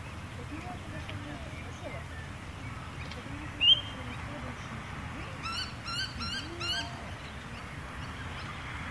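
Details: Eastern rosella feeding in shrubbery by a canal in Elwood on a warm early summer evening gives a quick burst of four short, sharp, high metallic notes after a single bright chip, over a steady low rumble.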